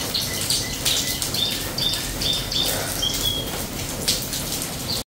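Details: On a rainy day a canary sings a string of brief, high, clear whistles and chirps, roughly two a second with irregular gaps, against constant loud rainfall pattering over everything.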